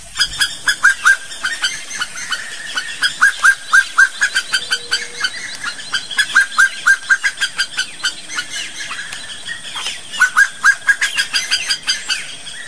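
A slaty-breasted wood rail gives a loud, rapid run of harsh, clucking notes that rise and fall in uneven bursts over a quiet marsh background.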